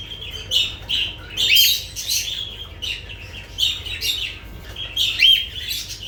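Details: Chattering lovebirds repeating rough, buzzy screeches roughly twice a second, broken by brief thin whistled notes, in a continuous noisy stream over a low background hum.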